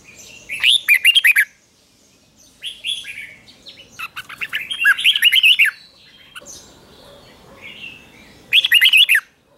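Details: Red-whiskered bulbul in morning training song meant to provoke vigorous fighting song; four bursts of lively, liquid warbled notes several seconds apart, each a tight cluster of quick up-and-down whistles.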